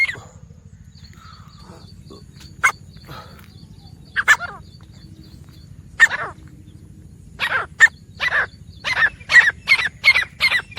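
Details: Wild grey francolin calls among four teetar: scattered, raspy notes against a quiet rural background at first, building into a quickening series of harsh, grating notes toward the end.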